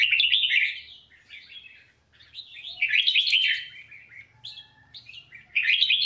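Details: Red-whiskered bulbul, a renowned songster used for voice training, giving three loud warbled phrases of rich, fluttering whistles, each about a second long, separated by quieter pauses, with faint low background hum.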